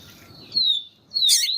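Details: Papa-capim with a female calling to excite the male: a long thin whistle slowly falling, then after a short gap a louder harsh note dropping into a twisting whistled slur.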